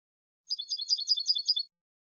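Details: Goldfinch song phrase from a song CD: a brief, rapid run of high, liquid twittering notes that rise and fall in pitch, about a second long, against silence.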